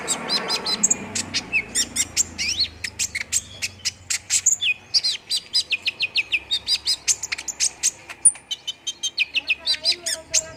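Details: Olive-backed sunbird lure song, used to prompt another bird to sing quickly: a rapid, steady stream of sharp, very high ticks and chirps with short rising and falling squeaky whistles, about four notes a second.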